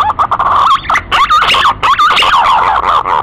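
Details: Male green pigeon recording used as a lure: loud, mellow whistles that waver and loop up and down, phrased in bursts with short breaks, over a faint background hiss.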